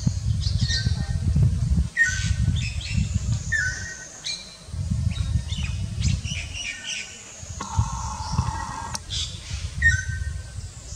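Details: Greater racket-tailed drongo at Kalatang, Andaman, India, giving a varied series of calls. Clear whistles, sharp metallic notes and a drawn-out buzzy note come in bursts, with loud low rumbling between them.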